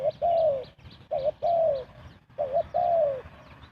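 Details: Spotted dove cooing at speed as a lure for trapping: three phrases pairing a brief wavering note with a sustained descending coo, repeated roughly every 1.2 seconds, faint twittering in the background.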